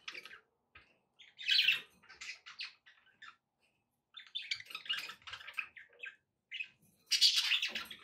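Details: Budgerigars chatter continuously in buzzy, scratchy warbles and squeaky chirps, with a loud harsh burst near the end.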